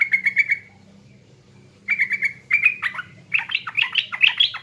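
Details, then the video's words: Sooty-headed bulbul, East Java, in lure song: rapid repeated chipping notes, a pause, more chips, then a rising cascade of varied, jumbled warbled phrases growing louder. "PANCINGAN TRUCUKAN PALING DI CARI‼TRUCUKAN JATIM"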